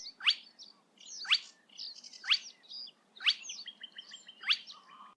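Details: Spotted crake, a rare secretive Dutch breeder detected mainly by call, repeats its sharp, whiplike rising note about once a second, carrying far; faint chirps from other birds behind.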